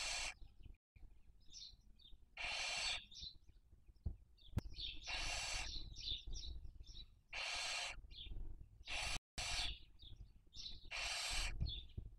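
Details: Nest webcam in Cabañeros National Park, Spain, 2023 breeding season, barn owls raising young: a run of five or six long, harsh, wheezing hisses at fairly regular intervals, interspersed with short high chirps.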